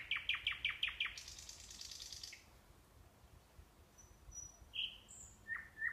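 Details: Nightingale singing near a sanatorium in Kursk Oblast, Russia: a fast series of six sharp repeated notes, then a broad buzzy trill, a pause and a few scattered high whistles and slurred notes.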